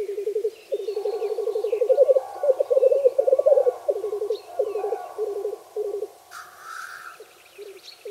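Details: Black grouse lekking on a frosty bog on a spring morning give a low, dove-like bubbling rookoo mating display in rapid, overlapping phrases, broken once by a harsh hissing sneeze; faint chirps from other birds behind.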